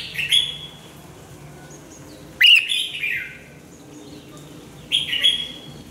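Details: Red-whiskered bulbul singing during song training, in a lively fast style. Three short warbled phrases, bright and slurred, each dropping in pitch, spaced about two seconds apart over a faint steady background hum.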